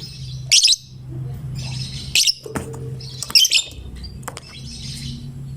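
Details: Fighter lovebird in chatty song, meant to prompt other lovebirds to join in, delivering four loud shrill rasping bursts about a second apart, with fainter buzzy chatter between them and a steady low hum beneath.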